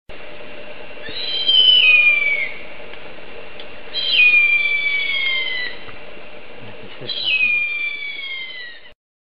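Harpy eagle giving three long, thin, wailing whistles, each sliding downward, about every three seconds over a steady low background hum.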